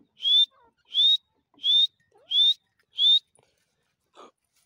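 A grey francolin gives five loud, high, shrill notes, each sliding slightly upward, repeated about every three-quarters of a second, followed by a faint softer sound.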